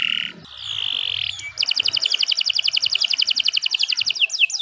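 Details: Canary song for training other birds, long continuous output: a steady whistled note, a high held tone, then a fast rattling trill of rapid repeated notes near four pulses a second per beat, ending in sweeping slurred phrases.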